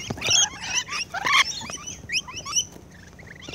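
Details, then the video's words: Rainbow lorikeets at close range while feeding, a busy tangle of shrill chattering and rising screech notes packed together, easing off toward the end. "Rainbow LORIKEETS CLOSE-UP FEEDING"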